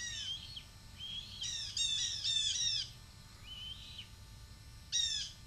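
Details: A young red-tailed hawk, a male fledgling, screams at his mother as she flies by below the nest, asking for food; harsh rasping screams come in short bursts and a longer run, with high squeaky overtones.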